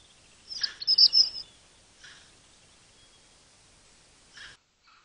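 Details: Courting pair of European robins (Erithacus rubecula) at a feeding table around 5am in darkness on a cold February morning: a quick burst of thin, very high, squeaky notes, then two faint short calls a few seconds apart, over background hiss.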